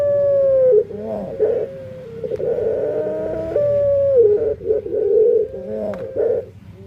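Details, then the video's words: Dove singing in an unusual voice that sets it apart from others: long level hooting tones broken by quick rolling, warbling coos, repeated several times across the clip. "Suara Unik Burung Puter // Unique Sound Singing of dove"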